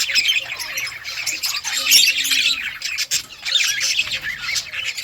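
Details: Colony of budgerigar parrots calling together: thick layered chirping and scratchy squawks, loudest around the middle, with a brief low tone.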